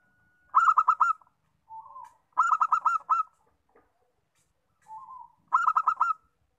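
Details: A local zebra dove sings three rapid rolling phrases of five to six bright coos, each introduced by a single quiet lower coo.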